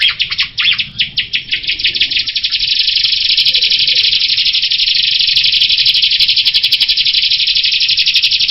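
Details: Jalak rio myna beginning with a string of rasping pulsed notes that merge into a sustained, buzzy, insect-like rattle lasting several seconds.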